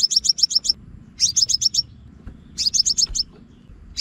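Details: Lure recording of a scarlet-backed flowerpecker used with a speaker for trapping in Vietnam: rapid runs of thin, high, clicking chips grouped in bursts of five or six, separated by short pauses, with soft background rumble.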